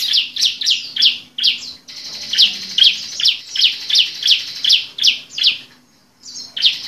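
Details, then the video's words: Lure call to make lazy captive bar-winged prinias (ciblek) sing: sharp, high, slightly buzzy notes in a quick series, two to three each second, with brief pauses, over a faint low hum. "Suara pancingan untuk burung ciblek yang malas bunyi"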